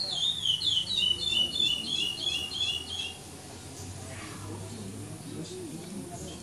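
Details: At the 2014 praia clássico song contest in São Domingos do Maranhão, a pardo curió (chestnut-bellied seed finch) sings a fast burst of bright looping whistles for about three seconds, then falls silent. Low hum and distant voices follow.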